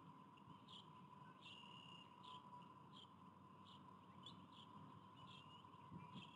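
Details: High chirping peeps from a young bald eagle at a Davenport, Iowa nest on 29 April 2023, its mother feeding it. Short notes repeat roughly every half second to second against a constant low hum.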